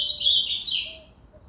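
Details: Fragment of ultramarine grosbeak song: a strong, slurred warbling note that drops in pitch and fades out within a second.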